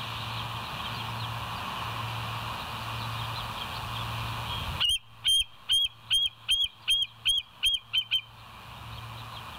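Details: West End Bald Eagles live cam, 7:00 on 25 September 2023; after several seconds of rushing noise and low hum with distant faint chatter, a sudden burst of about ten shrill, evenly spaced, piping notes rising and falling in pitch.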